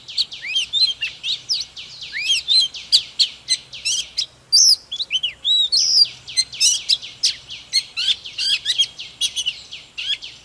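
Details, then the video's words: Morning song of a mature wild-caught Oriental magpie-robin in a fired-up state: a continuous rush of bright whistles, quick chirps and steep slurs packed tightly together. "Chòe than Già rừng hót múa CỰC ĐỈNH || Chòe than Căng Lửa || Kích chòe than HÓT SÁNG"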